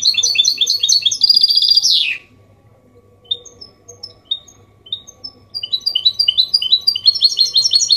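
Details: Clean 'copia malaga' song from a goldfinch mule, for prompting males and tutoring chicks; rapid twitter ending in a downward buzz, then isolated thin chips that build back into fast tinkling phrases.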